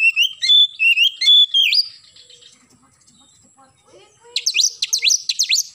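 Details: A morning oriental magpie-robin sings a run of clear warbled whistles with a rising end, falls quiet amid faint background chatter, then delivers a rapid burst of sharp downslurred notes.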